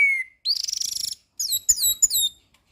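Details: Orange-headed thrush, a steady songster used to train a raw bird, opens with a clear falling whistle, then a rapid buzzy rattle and a string of high looping, descending whistled notes.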